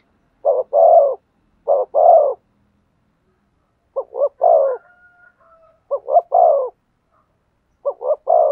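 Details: Spotted dove giving thổ sấm style coos in spaced bursts. Double and triple short notes end in a longer husky coo, with gaps of a second or more. A faint thin tonal sound appears in one pause.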